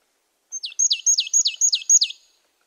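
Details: Series of crisp, high marsh tit notes, roughly seven in quick succession, each a steep downward slur, clear and isolated with a quiet background.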